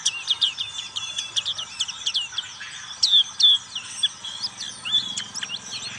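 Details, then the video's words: Continuous fast twittering song from a black-capped white-eye, dense strings of high chirps and short trills, with a few louder slurred whistles in the middle. "Pleci black capped ngriwik"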